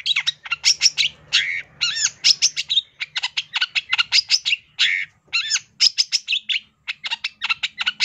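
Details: Cendet, or long-tailed shrike, delivering a full fill-in song: a long, rapid, varied chatter of sharp chips, scratchy notes and a few wavering nasal calls, barely pausing throughout; faint low hum.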